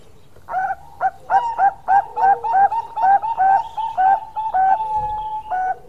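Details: Perkutut Bangkok zebra dove giving its long song, a quick series of clear, hollow cooing notes in close bursts, each note sliding slightly, about three per second, with a steady faint tone running underneath.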